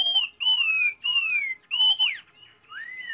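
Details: Chinese hwamei giving loud, clear whistled notes that sweep slowly downward, each about half a second long with short pauses between, followed by softer rising whistles.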